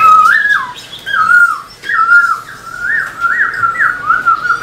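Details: Caged Black-throated laughingthrush singing energetically while tail-dancing, played to rouse other caged birds: rich whistled phrases that slur up and down, repeated in quick succession with short gaps, in a small room.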